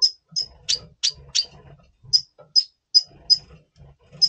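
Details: Pre-breeding red siskin, double pastel, November 2023, repeating short high piercing chips about three times a second at uneven spacing over faint low hum.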